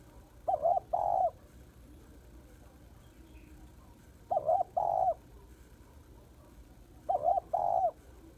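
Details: Female spotted dove calling to excite males; three steady phrases, each a brief mellow double hoot and a drawn-out rolling coo, roughly every three seconds.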